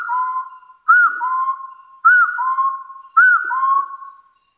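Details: Hill partridge giving a challenge call to rivals: paired whistles, a short arched note dropping into a longer, lower rising whistle, repeated roughly once a second with brief quiet gaps.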